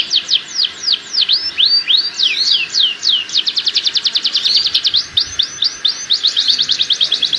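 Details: Canary breeding call for prompting pairing: regular train of sharp, downswept high chips, slower at first and quickening into a rapid even series.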